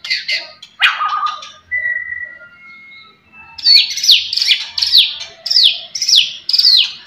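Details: White-rumped shama, known locally as murai batu, singing to anger rival birds: scratchy notes and a long level whistle, then a series of loud descending whistled slurs repeated about twice a second.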